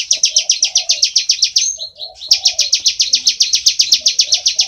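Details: Bar-winged prinia, loud ngebren song: rapid high chipping notes repeated quickly, briefly broken near the middle by a short varied phrase, then resuming, with quiet low murmurs behind.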